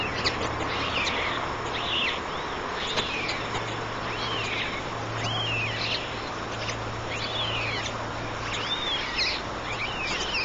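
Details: White storks with three chicks in the nest: a busy run of short, curved, mewing calls repeated in quick succession over a constant low hum and hiss.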